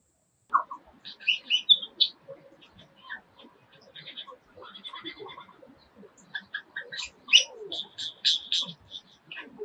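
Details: Male Superb Lyrebird in the forested Dandenongs near Melbourne, singing his mimicry repertoire to attract a mate: a rapid medley of varied whistles, chirps and ringing notes, shifting from one borrowed forest sound to the next with brief pauses.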